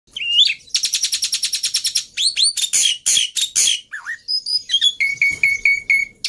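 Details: Black-winged myna in full, chatty song, used to coax silent mynas into singing: a rising whistled note, then a fast run of buzzy repeated chips, sweeping whistles, harsh broadband rasps, and closing evenly spaced clear whistled notes.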